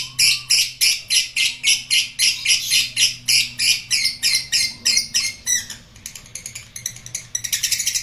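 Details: Lovebird singing ngekek, a long trilling chatter: loud harsh squawky bursts repeated about four per second for several seconds, then fading into softer, quicker chirps.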